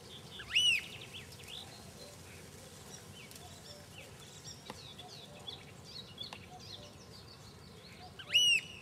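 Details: Eurasian oystercatcher giving two loud, piercing piping calls, each sharply rising then held, about eight seconds apart, over a busy background chorus of other birds' chirps and twitters.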